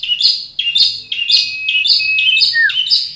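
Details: Long-tailed shrike calling actively: a steady run of bright, high chirping notes, each a short burst with sliding tones, following one another about every half second, with a brief downward whistled slur near the end.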